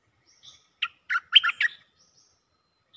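Cream-vented bulbul giving a quick burst of bubbly, chattering notes, four or five in under a second, with faint thin whistles before and after.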